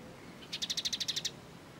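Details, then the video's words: Short, fast trill of about ten clipped high notes from a sunbird (kolibri ninja), part of Indonesian songbird training material; quiet background otherwise. "MASTERAN BURUNG KOLIBRI NINJA MEWAH"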